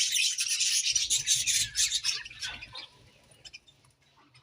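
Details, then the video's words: Loud, rasping, rapid twitter from budgerigars in the morning, a dense scratchy chatter that gradually fades to a few soft chirps. "Beautiful Budgies Morning Chirping Sounds"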